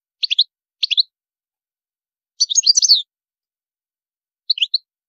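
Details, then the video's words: European goldfinch producing separated bursts of high twittering, quick groups of sharp chirps with a denser tinkling run in the middle. "تغريد الحسون جميل دو مقامات عالية"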